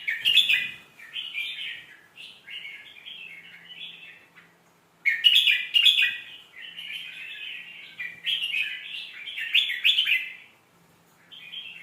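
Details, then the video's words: Sweet-phrased red-whiskered bulbul song, played to teach young birds: near-continuous chains of warbled, whistled chirps with a short break near five seconds and a faint low hum. "เสียงนกกรงหัวจุก สำนวนเพราะๆ เปิดสอนลูกนก"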